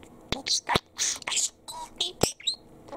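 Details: A male parakeet mimics speech in clipped, breathy syllables separated by short gaps, with sharp clicks and a thin falling whistle at the end.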